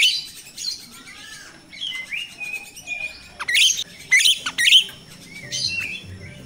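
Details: Jalak rio-rio myna in a natural recording, used as a lure for training captive birds: a sequence of high chirps, short whistled slurs and buzzy notes. A burst of loud, rapid chattering notes comes near the middle of the clip.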